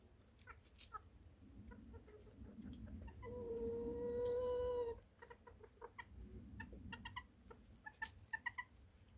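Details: Chicken giving one drawn-out, steady, nasal squawk lasting under two seconds, rich in overtones, set among short scattered clucks and clicks before and after it.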